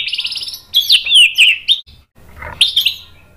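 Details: A white-rumped shama sings in an emotional, rival-baiting mood. A fast buzzy trill leads into loud, sweeping, slurred whistles, followed by a pause and then a few sharp chattering notes.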